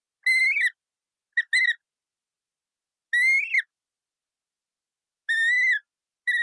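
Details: Colourful parrot giving rasping, level squawks interspersed with brief clipped notes, five call bouts spread irregularly with silent gaps.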